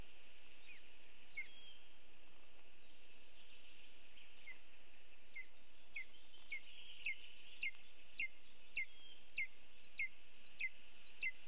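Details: Lesser spotted eagle (Clanga pomarina) at its nest in a birch, as the bird Uldis brings prey: short, high, yelping notes, about two each second, growing louder and more urgent, over a steady insect-like hiss.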